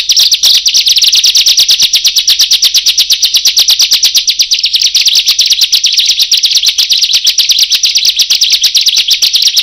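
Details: Bar-winged prinia song, loud and intense, used as a lure for catching birds: a dense, steady stream of sharp, high, buzzy notes repeated several times a second throughout, with no other sounds.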